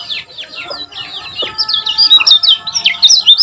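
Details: Common iora song from Lombok, used to prompt caged ioras to sing: quick chirpy notes, many sliding downward, tumbling in a fast irregular run, growing louder and denser toward the end, with a faint steady hum behind.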